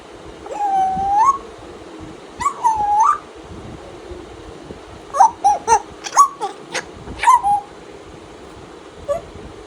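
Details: Tame African grey parrot welcoming the day with playful mimic sounds: a series of whistled, upward-curling tones followed by a burst of short clicks and chirpy notes, then a faint final peep, indoors with little background noise.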